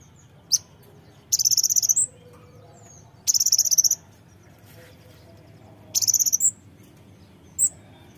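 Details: Fighter brown-throated sunbird song used to make other birds sing: three short bursts of rapid, very high, sharp trilled notes spaced about two seconds apart, separated by thin isolated chips, over a quiet low background hum.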